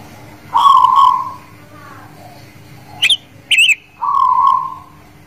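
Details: Singing guling Murio zebra dove ('manggung') from Demak: two purring, level coos about three and a half seconds apart, separated by two sharp, high, twisting chirps from another bird.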